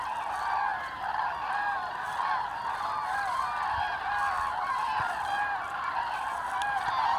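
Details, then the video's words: Flock of common cranes migrating in autumn, Hesse, Germany, 25 October 2021; continuous overlapping trumpeting calls from many birds, with a few faint low thumps in the background. "Herbstzug der Kraniche/ Autumn migration of Cranes"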